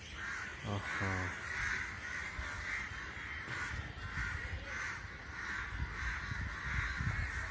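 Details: Crows assembled in a large group call together in a thick, unbroken babble of hoarse caws, swelling slightly in waves, with a brief deeper throaty call near the start.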